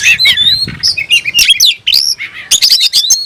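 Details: Kacer (oriental magpie-robin) singing with tail open, worked up to summon a rival for a fight; varied high whistles, chattering notes and sliding phrases in quick bursts separated by short gaps.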